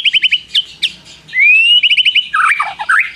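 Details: White-rumped shama singing with prinia mimicry: short chipped notes, a long rising whistle, a quick trill, then a rough, lower warbling jumble.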